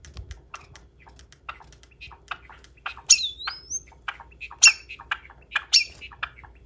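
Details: A Java sparrow's courtship display, uncut: a string of dry clicks and soft chips broken by three louder ringing bursts, one ending in a smooth gliding whistle; the pair falls into rhythm, but the courtship fails.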